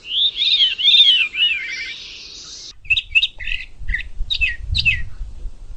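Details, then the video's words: Bird with a wavering warbled song, then a series of short sharp chirps spaced roughly half a second apart, with low rumbling noise in the background. "चिड़िया की आवाज"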